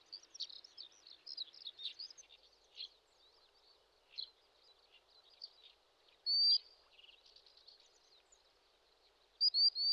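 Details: Adult common sandpiper keeping watch over chicks on a Japanese riverbed in Shinetsu, late May. Many soft high chirps, then two loud piercing whistled calls a few seconds apart, set against a faint steady rush.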